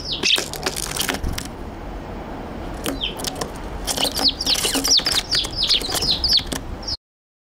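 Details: Eurasian tree sparrows on a balcony, one biting, on 14 December 2022 give short, bright chirps in quick, irregular bursts, with bouts of fluttering wingbeats and light knocking between calls.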